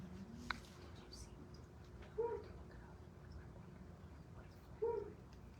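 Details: Flammulated Owl at dark on the higher-elevation west side of a mountain gives two soft, low, short hoots about three seconds apart, over a quiet low rumble with a brief click near the start.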